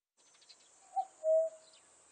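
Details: Common cuckoo recorded in 2020, giving one two-note cuck-oo: a short higher note, then a longer, lower, hollow note. A faint steady high-pitched hiss runs underneath, with a few soft chirps.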